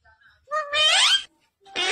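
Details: Talking parrot speaking indoors: a short voiced phrase with a rising-then-falling tone and strong layered harmonics, a brief pause, then another loud word-like burst.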